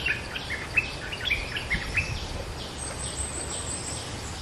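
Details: Bulbul lure call from a bird described as a bold local master: a string of short clear whistled notes in the first two seconds, then fading into hiss with faint high chirps.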